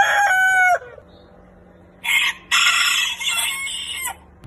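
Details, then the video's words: Rooster crow with a brief steady harmonic tail, a pause of faint background hum, then a harsher, noisier crow broken into two loud bursts. "Chicken Crowing Ayam Berkokok Con Gà Gáy"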